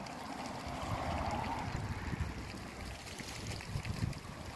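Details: Steady rushing and gurgling of running water, like a stream or trickle, fills the backyard scene, with a low rumble underneath and no clear animal calls.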